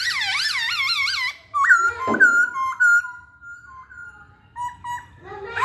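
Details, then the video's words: Masked laughingthrush giving song intended to prompt other birds to sing: rolling, undulating whistles rich in overtones, a short harsh burst, then long level whistles and scattered softer notes. "Burung Poksay Hongkong Gacor"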